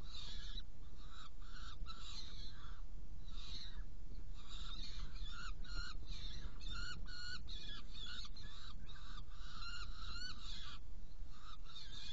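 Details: Saker falcons at a Hungarian nest on 16 June 2018 around 18:57, during prey delivery and feeding of two young, give harsh, grating calls repeated in quick bursts throughout, over a heavy low rumble of wind.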